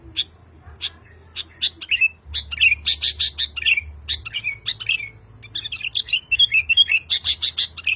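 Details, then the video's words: Male sooty-headed bulbul calling a female, agitated and calling nonstop on hearing another bulbul: fast bursts of short, sharp chirps, several ending in slurred downward notes, with brief pauses between runs and a low hum underneath. "SUARA BURUNG KUTILANG JANTAN GACOR MEMANGGIL BETINA"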